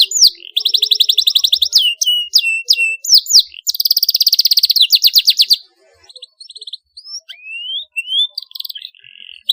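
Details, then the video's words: Canary song intended to stimulate other canaries: long rapid trills at high pitch broken by downslurred whistles, a second dense roll, then quieter rising whistled notes. "Cuitan Kenari UNTUK Perangsang bunyi Kenari paud, Gacor ngeroll tajam untuk pancingan"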